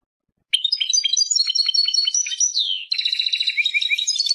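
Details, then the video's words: European goldfinch, called Persian goldfinch, starts singing after half a second of quiet: rapid tinkling twitter and chirps, a gliding slurred note, then a denser, buzzier chattering run of quick notes. "Persian goldfinch songs اواز سهرهاي اروپاي"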